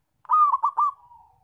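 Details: A single loud phrase from a zebra dove, used for luring and trapping. Four quick rolling notes run together and trail off into a long, slowly falling tone.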